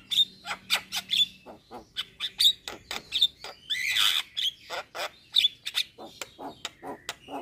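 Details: Javan myna singing energetically as a masteran tutor recording for songbirds: a dense run of harsh rasping notes mixed with thin high whistles, one longer noisy burst in the middle.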